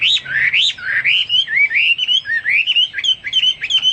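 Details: Hwamei singing a rich, fluid series of looping whistled phrases, each rising and falling, repeated about once a second in a continuous flowing stream.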